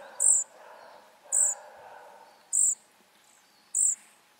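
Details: Flycatcher chicks calling with bright, high, squeaky notes roughly every second, over a low, continuous hissing background.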